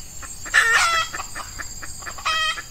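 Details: A female decoy junglefowl used to lure wild males, in early morning during hot weather in Ramadan, gives two loud, short, harsh calls about two seconds apart with soft clucking notes between them.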